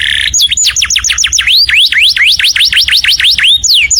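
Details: Loud canary song for other birds to copy: a run of quick falling chirps, then a series of swooping V-shaped whistles repeated about four per second.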